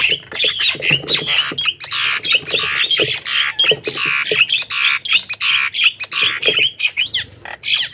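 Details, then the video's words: Javan myna lure calls for wild birds: a continuous, noisy chatter of raspy squawks and clicks, densely packed and unbroken, sounding like an excited bird calling without pause. "suara burung pikat jalak kebo gacor"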